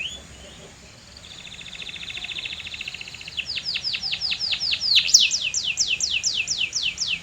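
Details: A canary sings, starting softly with a short whistle and a low, buzzy, fluttering roll. It then grows louder into a long series of crisp, high, down-slurred notes repeated about twice a second.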